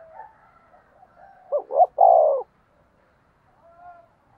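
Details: Decoy spotted dove cooing to lure wild doves: a single phrase of two short rising notes and a longer, drawn-out coo, with faint softer coos before and after in a quiet setting.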